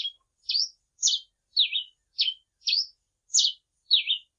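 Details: A grey pileated finch (Coryphospingus pileatus) sings a steady series of short, high, chirpy notes, some rising and some falling, about two per second, against a quiet background.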